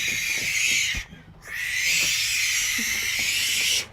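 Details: Young barn owls about eight weeks old at a rehabilitation centre, previously hand-fed in a house, give a long, harsh, breathy hiss, briefly pausing after about a second, then hissing steadily again.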